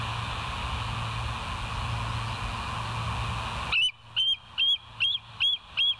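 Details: Wild bald eagle on the West End live nest cam, 09/11/2023 at 02:31: steady background hiss and low hum, then six loud, sharp, high piping notes about two per second.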